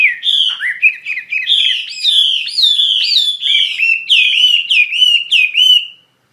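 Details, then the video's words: Energetic song from a wambi mandarin bird: sweet whistled phrases with sharp upward flicks and downward slurs, running almost without pause for six seconds. "Burung Wambi Mandarin Gacor Joss"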